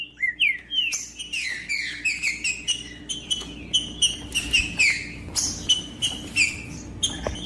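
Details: Green-winged saltator singing in macheando style, meant to fire up other saltators: a long, rapid run of short whistled and chirping notes, steadily repeated at a quick, lively pace.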